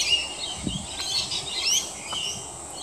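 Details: Rainbow lorikeets in a group splash in roof gutters while giving a continuous stream of high, scratchy chattering notes and thin squeaks that overlap one another throughout.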